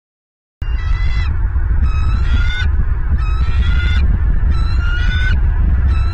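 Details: Bald eagles at their nest in Southwest Florida, filmed by a nest camera on 23 January 2023 around 09:45; four loud, drawn-out harmonic calls, each slightly rising, given roughly every second, over constant heavy wind rumble.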